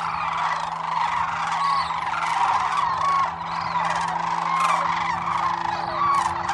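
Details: Sandhill cranes wintering at Whitewater Draw, Arizona: many birds calling at once, a thick wall of trilling, rolling bugles with repeated clearer rising notes poking through the din.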